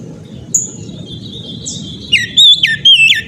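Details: Oriental magpie-robin singing in ngeplong style: faint high notes and a thin sustained whistle at first, then loud, clear whistled phrases dropping in pitch in quick succession near the end, over low rumbling noise.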